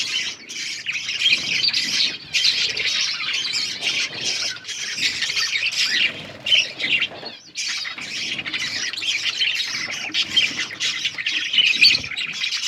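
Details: Budgerigar chatter during chick feeding in a breeding group: harsh, high, overlapping squawks and chirps that run on continuously, with one brief lull partway through.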